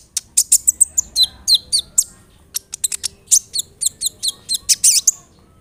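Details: Kolibri ninja sunbird song, used as a training recording to draw replies from other sunbirds: rapid series of sharp, high chirps and short buzzy notes, some dropping in pitch, in quick bursts with brief pauses; quiet background.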